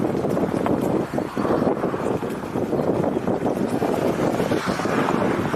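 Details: Loud wind gusts and boat engine noise on a June tour, with no animal calls.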